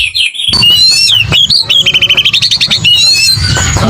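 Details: Oriental magpie-robin in aggressive fighting song meant to provoke other birds: loud whistled notes sliding between high pitches, then a fast even series of pulsed chips, over a low rumbling background.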